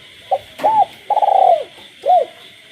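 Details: Spotted dove kept in captivity, cooing at night among croaking frogs in a rural village. One phrase: a soft short note, an arched coo, a long rolling pulsed coo, then a final arched coo. A constant high-pitched hum sits behind.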